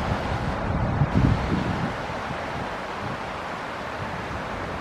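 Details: A June 1, 2020 morning recording with steady, heavy wind noise rumbling over the microphone and a brief louder gust near the one-second mark; no animal voices stand out.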